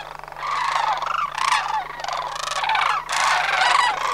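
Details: Homer sandhill crane flock on September 2009 migration: rolling, trilled calls from several cranes run together in a steady stream, the loudest peaks roughly every second, steady low hum behind.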